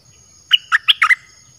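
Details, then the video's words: Caged red-whiskered bulbul, song meant for luring wild birds: five brisk, clear whistled notes with quick downward slides, given in under a second against a quiet background. "เสียงนกกรงดอกแตงEp.22Birds sounds เปิดดอกเพลงหลากหลาย นกป่าเข้าเร็ว เพลงเพราะน่าฟัง"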